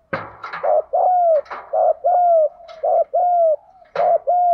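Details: Spotted dove delivering the mixed 'đồng pha thúc gù' song meant to spur pet doves: a sharp clicking start, then four evenly spaced coo pairs, short then long, with a soft hum underneath.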